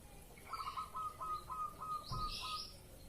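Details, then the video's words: Zebra dove in breeding mood, used as a lure to provoke a response: a run of short, even cooing notes repeated quickly at a steady mid pitch, with a brief higher chirp from another bird. "PANCINGAN BURUNG PERKUTUT MANGUNG"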